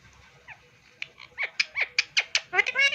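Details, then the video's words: Talking pet Indian ringneck parakeet produces a quickening series of loud, piercing, downward-sliding notes, roughly five per second, closing in a rough harmonic chatter; faint low background noise underneath. "Funny Talking Indian Ring neck Parrot"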